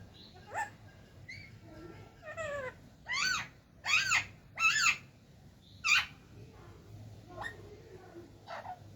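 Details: Talking parrots giving a run of harsh, harmonic squawks and bent whistled syllables, loudest in a cluster of three bursts mid-clip, with softer scattered calls before and after.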